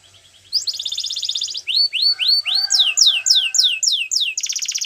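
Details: Belgian canary singing: a fast buzzy trill, then a run of downward-sweeping whistles repeated about four per second, followed by rapid descending notes and a closing buzzy roll.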